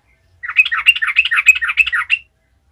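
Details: Yellow-vented bulbul singing hard to spur other bulbuls on: one loud, dense burst of rapid, chattering, slurred notes lasting about two seconds, in silence.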